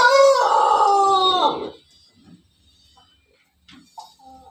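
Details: Pelung chicken crowing: a single loud, drawn-out harmonic crow lasting under two seconds, level and slightly falling at the end, followed by quiet faint rustles and a few soft distant calls.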